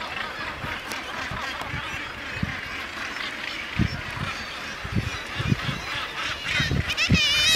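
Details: Common murre colony on Helgoland, with a few razorbills among them: dense chorus of harsh, overlapping growling calls, irregular low thumps and a din rising toward the end.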